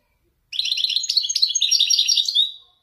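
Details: Caged Moroccan Wedani goldfinch performing a Marrakchi-style 'nzoulat' passage: a two-second run of fast, tinkling, jangling notes, steady in loudness, finishing with a clear sliding whistle. Background silent.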